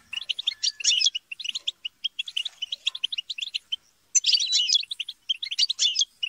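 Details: Squabbling European goldfinch flock chatter, intended to stimulate singing. Fast tinkling twitters run on steadily, a brief silence falls just before four seconds, then a loud, busy burst of mixed chirps and trills follows.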